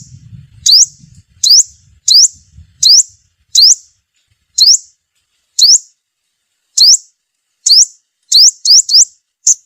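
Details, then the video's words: Sunbird call played as a trapping lure: thin, sharp rising chirps repeated roughly every second, quickening into a close cluster near the end; faint low rumble at the start. "Tiếng chim hút mật mồi gọi bổi"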